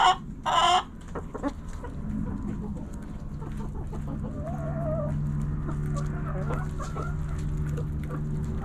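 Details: Backyard chickens: a loud harsh squawk near the start, then scattered soft clucks and a low wavering note over steady low background hum.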